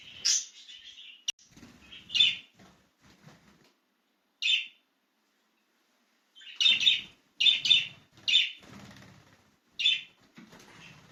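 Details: Excited budgerigar out of its cage giving bright, sharp chirps in irregular bursts, some doubled, separated by short pauses, with faint low chatter and a soft rustle underneath.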